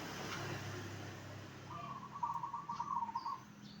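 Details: Single zebra dove phrase aimed at drawing replies from other zebra doves, a short rolling trill of staccato coos arriving after a quiet start, with low rumbling background noise.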